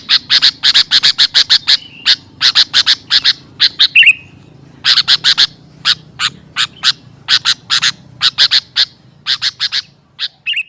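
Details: Lure call of the sooty-headed bulbul, meant to attract and train birds: dense bursts of rapid, harsh chirps in clusters, broken by short pauses and occasional rising squeaky notes, over a soft low hum.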